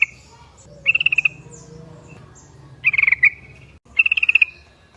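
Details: Yellow-vented bulbul lure call, meant to make other bulbuls answer: short bubbly bursts of rapid chattering notes, each under half a second, repeated three times at irregular gaps amid faint background noise.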